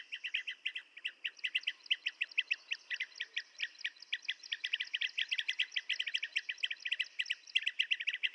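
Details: Blue-tailed bee-eaters giving dense, overlapping chirpy calls, short rolling notes packed closely and running without pause for the whole stretch, with a faint steady high hiss behind.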